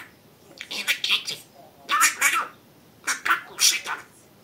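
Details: Talking pet budgerigar indoors, three clusters of buzzy, high speech-like syllables, each group about a second long with short silences between.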